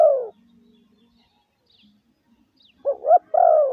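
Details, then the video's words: Caged decoy spotted dove calling to lure other doves ('gáy gù'): the tail of one falling coo, a long quiet pause, then a new phrase of short doubled notes and a drawn-out coo. "Tiếng chim gáy gù gọi mồi cực chuẩn"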